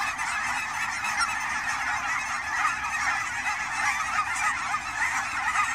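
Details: Canada geese in autumn migration at Fern Hill Wildlife Area, Pacific Northwest; a thick blend of many honking voices with small rises and dips in loudness.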